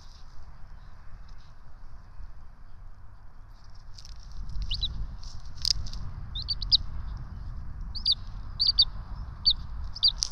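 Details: During a feeding at the Johnson City ETSU nest on 12 March 2024, the two bald eagle nestlings give sharp high peeps. The peeps start after a quiet stretch and come in irregular bursts over low rumbling camera noise.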